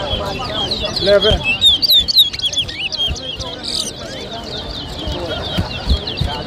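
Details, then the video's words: Towa towa, or chestnut-bellied seed finch, competing in a 2023 whistling contest at Lusignan, Guyana; quick sharp chirps and short slurred whistles repeat about four times a second over background music and people talking. "TOWA TOWA BIRD WHISTLING COMPETITION"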